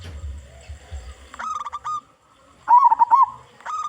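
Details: Zebra dove of a local strain, strong-voiced, singing as a lure for others of its kind. A low hum comes first, then clipped cooing notes, a pause, and a loud rolling trilled coo, after which the short notes start again.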